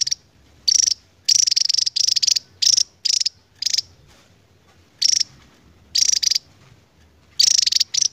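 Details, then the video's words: Javan tesia, endemic to Java, known for a long ngebren song despite its size: a run of high, buzzy trill bursts, each about half a second to a second long, separated by short pauses. "BURUNG NGEBREN PANJANG .....GAK SESUAI POSTUR ..TAPI INILAH TESIA JAWA"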